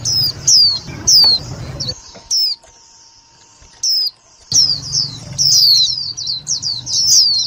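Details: Lure calls of an Indian white-eye for trapping and exciting other white-eyes: sharp, high falling chirps, a quiet gap midway, then a faster run of overlapping thin notes.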